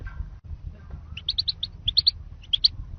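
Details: Goldfinch lure for trapping: three short bursts of rapid, liquid tinkling notes, four, three and two notes each, over a dull low-pitched background hum.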